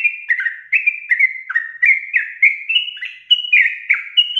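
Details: Sooty-headed bulbul delivering long rapid 'ropel' song meant to spur other bulbuls into singing: an unbroken chain of liquid, bubbly whistled phrases, each dipping then rising, about three per second.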